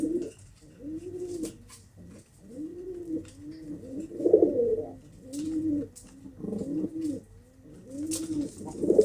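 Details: Several pigeons cooing at once, low arched coos rising and falling in overlapping phrases, with scattered clicks and rustles of movement around them.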